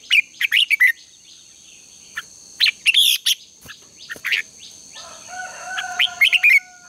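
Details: Red-whiskered bulbul in morning contest singing, used as a lure to train birds: a few quick chirpy bursts, a pause, then more warbled notes, with a thin falling whistle from another source late on and a steady high tone.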